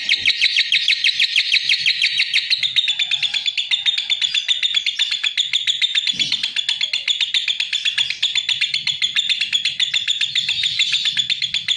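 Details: Long sustained trill from a lovebird: dense, rapid, high-pitched chirping that runs almost without pause, loud and shrill throughout, with faint low noise underneath.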